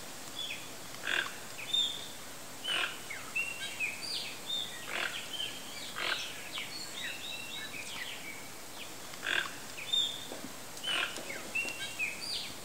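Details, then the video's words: Wild Toco toucan (Ramphastos toco), central Brazil riparian forest, gives harsh, rattling croaks in short bursts every one to two seconds, over busy background of high chirps and whistles from smaller birds. "Toco Toucan Sounds"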